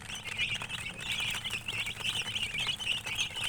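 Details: Many young chickens peeping at once: bright, high-pitched chirps crowd together in quick, overlapping bursts, with a faint low rumble underneath.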